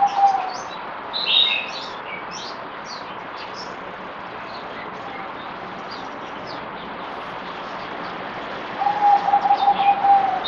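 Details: Zebra dove (merbok), fourth deworming day, 17 April 2020. After a long stretch of background hiss with scattered chirps from other birds, a rapid pulsed coo phrase rises near the end.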